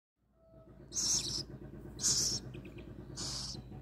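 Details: Rescued little owl in care, awaiting release to the wild, calling just before being fed: three loud, breathy hissing bursts, each about half a second long, spaced about a second apart over a low background hum.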